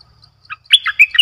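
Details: Luring song of a caged decoy bulbul, recorded 18 December 2021: a quick, loud run of bright, liquid chirping notes that rise and fall after a brief soft note.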